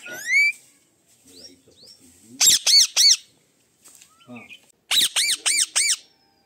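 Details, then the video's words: Pet parrot opening with a rising whistle, then quiet chatter before two bursts of harsh, arched squawks, three and then four in quick succession, each sharp and loud with gaps of soft sounds between. "Parrot Talk And listening style very beautiful"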